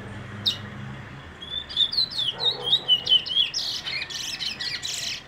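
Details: Brown bullfinch calling: after a quiet start, a run of short, high, rising-and-falling chirps for about two seconds, then fainter, scratchier notes to the end.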